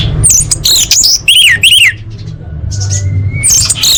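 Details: Orange-headed thrush female calling to males, a lure for birds that will not sing: quick series of bright, sliding whistled notes, some falling, a pause with a thin faint whistle, then more high notes over a low background hum.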